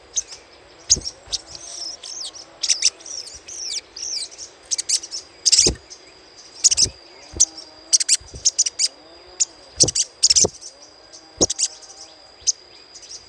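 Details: Little spiderhunter chatter as a lure sound: long sequence of piercing high chips and swooping short notes in irregular bursts, with several dull low knocks scattered through.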